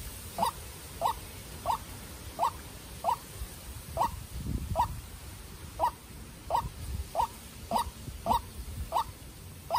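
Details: White-breasted waterhen in a duel between a young decoy bird and a wild bird: fainter, regularly repeated hoarse notes about every 0.6 seconds within steady hiss and low rumble.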